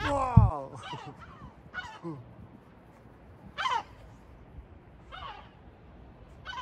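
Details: Gulls in Batumi, Georgia, on the sea coast, give harsh, nasal, slightly downslurred calls in short bursts roughly every one to two seconds, over a low rumble of wind or surf.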